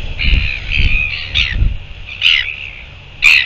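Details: Northern royal albatross, recorded 13 December 2022: a run of harsh, braying call notes, several in quick succession then two louder squawked bursts, over steady wind noise.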